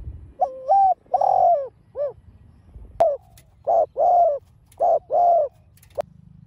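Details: Spotted dove, kept caged, giving provoking coos in the field-voice manner. One full three-note phrase is followed by a run of shorter, evenly spaced mellow coos in pairs. Sharp clicks break in, and a steady low hum appears at the end.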